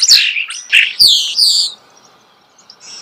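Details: Starling close by giving a quick run of high, squeaky, harsh notes over about two seconds, then falling nearly silent with a faint high note at the end.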